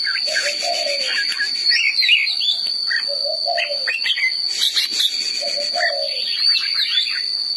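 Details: Song of a red-whiskered bulbul: mellow falling whistles recur roughly every two and a half seconds, laced with rapid, sharp chirps and trills above. A constant high, ringing tone carries on in the background.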